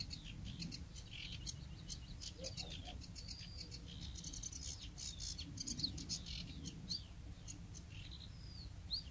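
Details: Bluethroat song recorded at Woumen, 2018: a dense, fast stream of varied high chirps, twitters and short whistles, rather quiet against steady low-frequency background noise.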